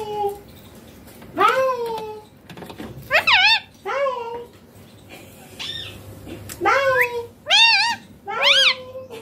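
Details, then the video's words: Green ringneck parrot talking indoors: a series of separate harmonic, speech-like syllables, some rising and others falling, spaced by short pauses over about nine seconds in a small room. "Ringneck Green Parrot talking"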